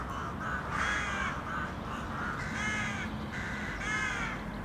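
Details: City crows in a group, calling with coarse, grating caws repeated about every second, several voices overlapping, over a continuous low-pitched urban drone.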